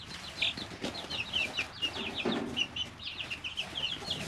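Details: Young chicks, three weeks old, kept in a brooder: dense overlapping high peeps, quick downslurred notes repeated rapidly, with brief low thumps and shuffling beneath.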